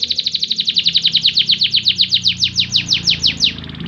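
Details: Canary song intended to make other canaries sing more, a loud rapid trill of repeated notes that gradually slows and spreads out before stopping after about three and a half seconds.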